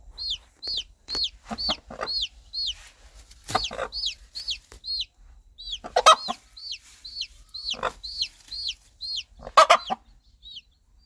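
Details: Countryside hen gently clucking to her baby chicks so they stay close and safe; bright, high peeps from the chicks nearly continuous, broken by occasional low clucks and a few louder harsh notes.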